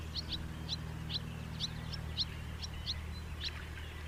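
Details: Series of brisk, high, clipped chirps from a house martin, roughly two per second with uneven spacing, against a constant low droning background.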